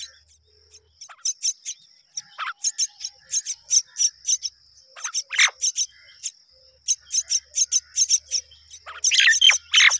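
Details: A pair of mynas rearing their babies together. Harsh, scratchy chirps repeat in rapid irregular bursts, some sliding downward, over a steady thin high-pitched whine, with a denser cluster of rough calls near the end.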